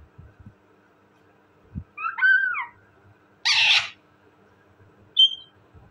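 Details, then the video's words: A pet talking parrot makes a wavering, whining call, then a harsh noisy screech, then a short thin whistle, separated by quiet gaps with soft knocks. "my amazing and cute talking parrot,parrot sound"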